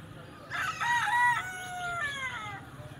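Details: Parrot chicks giving tonal, harmonic calls: a wavering series of notes, then two drawn-out, slightly rising and falling cries over a low background hum.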